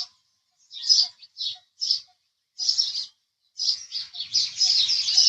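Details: Isolated house sparrow chirps at first, separated by quiet gaps, then building into busy overlapping chatter in the final seconds.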